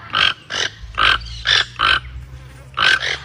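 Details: Toucan giving rough, croaking grunts in quick bursts, about six harsh pulses in three seconds with a short pause before the last, against a faint low hum.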